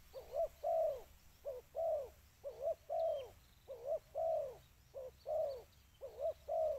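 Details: Spotted dove call used for luring birds, with clear low coos in paired phrases, a brief note followed by a longer drawn-out falling coo, repeated steadily, faint chirps of other birds behind.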